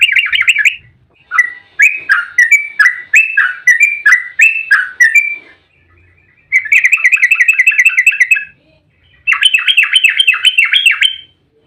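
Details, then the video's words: Emotional fighting song of a yellow-vented bulbul, used to make other bulbuls respond: a run of separate slurred whistles, then two rapid rolling bursts of quick repeated notes. "trucukan GACOR EMOSI ROPEL RAPAT buat pancingan trucuk agar cepat bunyi"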